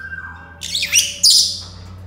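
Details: Senegal parrot, known locally as yoyo parrot, whistling indoors: a thin tone sliding downward, then two harsh, scratchy high squawks in quick succession over a faint steady background hum.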